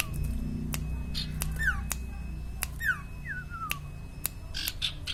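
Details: Actively singing common iora (sirtu/cipaw) gives a few falling whistles, one ending in a longer descending slur, among crisp clicks and a droning low background.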